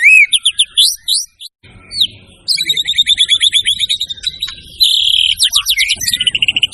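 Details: White-rumped shama singing: rising whistles and sharp chips, a brief pause, then long rattling sequences and a steady high whistled note, with faint low background rumble.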